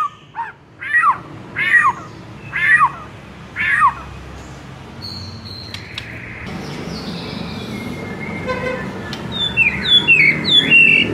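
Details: ['Murai song recording intended to make a listening murai sing: four loud, sweeping descending notes about a second apart, followed by a softer jumble of varied chirps amid background hiss.']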